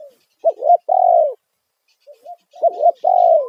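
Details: Loud lure call of a spotted dove, 'kuk satu' style, meant to make wild doves respond. Two cooing phrases, each a quick wavering double note followed by a drawn-out, slightly falling coo, with faint soft notes in the gap.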